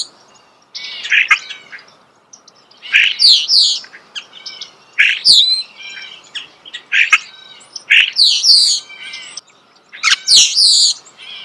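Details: Nearby starling singing in a natural setting, delivering repeated bursts of squeaky, slurred whistles and rattling chatter with short gaps, about every second or two.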